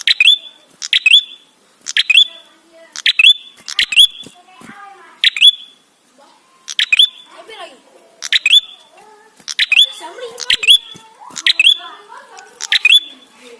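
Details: Lively ashy tailorbird song used to lure tailorbirds into singing: a long run of loud, sharp click bursts, each ending in a ringing rising whistle, repeated steadily with brief pauses, faint lower twittering between phrases.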